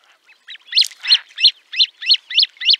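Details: Great crested grebe at Liepāja, Latvia, in 2023, giving a series of about eight harsh, nasal, honking notes, evenly spaced roughly three per second, with no other sounds.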